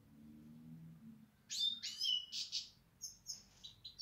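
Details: European goldfinch giving a short burst of bright, liquid twittering notes after a quiet start, followed by a few thin, high chips.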